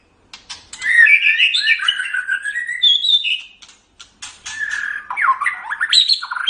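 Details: Tutoring recording of a white-rumped shama singing: a long flowing run of warbled and fluted notes, rising and falling quickly, then after a short pause a second burst of sliding whistles and rapid twitters.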